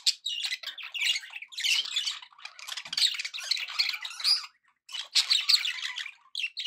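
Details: Happy pet budgerigars chatter in scratchy warbling runs with sharp squeaks, then fall briefly silent before another burst of busy chirping.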